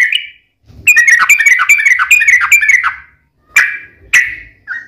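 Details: Yellow-vented bulbul (trucukan) singing as a lure to prompt other bulbuls to answer: an opening note, then a quick run of liquid warbled notes, followed by a few separate, emphatic single calls.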